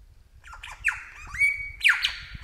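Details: Wild superb lyrebird in the Australian bush, mimicking calls of other birds such as crow, kookaburra and magpies; a loud, varied run of tonal notes with sliding whistles and a sustained level note, then a harsh rising phrase.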